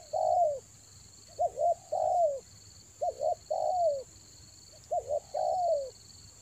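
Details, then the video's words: Lure spotted dove from Toba, recorded in the rainy season, repeats a low three-part coo about every one and a half seconds: a quick double note, then a long descending note; steady high whine in the background. "TEKUKUR PIKAT RAJA ANGGUK"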